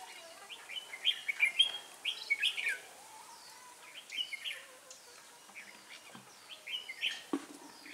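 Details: Red-whiskered bulbul recorded at a trapping site on 18 December 2016, singing in short bursts of bright, chirpy warbled phrases, each about a second long, separated by pauses, with faint background noise.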